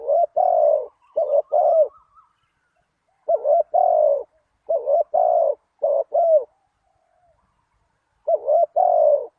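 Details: Spotted dove calling as a lure to attract wild doves, giving bursts of two or three soft, low coos separated by pauses of a second or more, with a longer silent stretch midway.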